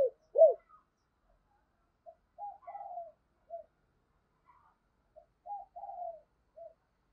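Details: Spotted dove decoy with a 'thunder voice', cooing to lure wild birds: one loud rising-and-falling note opens, followed by softer, burry coo phrases repeated twice at a lower volume in a quiet setting.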